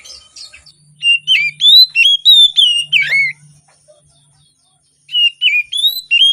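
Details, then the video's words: Oriental magpie-robin singing lively in the morning to coax reluctant birds: a run of about ten quick whistled notes swinging up and down, a brief silence, then another run begins. "Kacer Gacor Di Pagi Hari, Pancingan Kacer Sulit Bunyi dan malas Bunyi"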